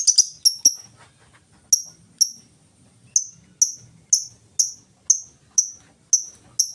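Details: Full ngetik song from a lovebird, without ngekek, for luring other lovebirds to sing; a rapid burst of ticks at the start, then single sharp high ticks about every half second, steady and clear.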